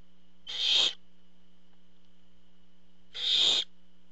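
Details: Two harsh, rasping hisses from barn owls at the nest as the male parent brings a meal, spaced nearly three seconds apart, over a steady low hum and a thin constant high tone.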